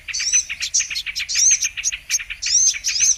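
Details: Brown-throated sunbird lure song for bird trapping, with fast clusters of sharp high chirps and bright downslurred whistles, repeated in quick succession.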